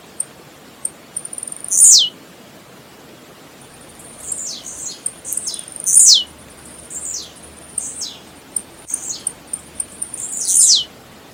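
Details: Blue-black grassquit song used to warm up and stimulate birds to sing: short, sharp, very high notes sweeping steeply downward, about eight in all, given every one to two seconds, with faint thin chirps between them.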